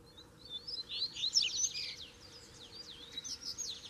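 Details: Double-collared seedeater, caged bird facing a free wild rival in Brazil, sings a fast tumbling phrase of high buzzy trills and downslurred whistles lasting about two seconds, followed by softer repeated chips over steady low hum.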